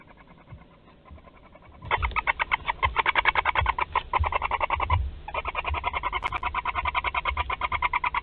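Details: Barn owl nest on 31 March 2021 at Théding, France, as a live wood mouse is delivered: rapid rasping, ticking calls repeated several times a second in a dense chorus, with a short pause midway.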